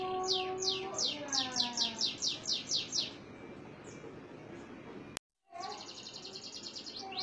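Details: A canary (Serinus canaria) in Indonesia sings a tour of about ten quick, high downslurred notes over low steady whistles, then after a brief break breaks into a fast, rattling high trill.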